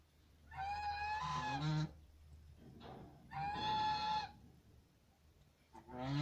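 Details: A farmed goose gives three loud, nasal honks, each drawn out for about a second, with a low background hum between calls.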